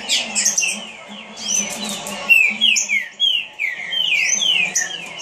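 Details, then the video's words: Quick green-winged saltator phrases: clusters of ringing downward-slurred whistles, a brief pause, then an accelerating stream of falling notes, with a soft low hum in the background. "Trinca Ferro rapido"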